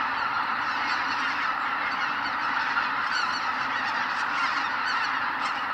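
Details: A large flock of greater white-fronted geese leaving their roost at sunrise at Kabukuri-numa, Miyagi, gives a dense, continuous chorus of high, yelping honks, with a rumbling roar of wingbeats.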